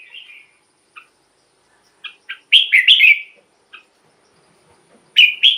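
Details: Caged red-whiskered bulbul song used as a decoy to lure wild birds and to excite other caged birds: a short whistled phrase, then isolated clipped notes, a rich warbled burst of rising and falling whistles, and another phrase at the end.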